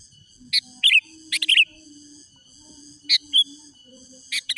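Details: Sooty-headed bulbul song meant to provoke rival males: clipped sharp notes and short bubbling whistled phrases, given in irregular bursts, with a faint low tone and high steady hum.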